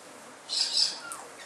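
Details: A white cockatoo, one of five checking out a local diner in Australia, gives one harsh, raspy, high grating screech lasting about half a second, over faint background hiss.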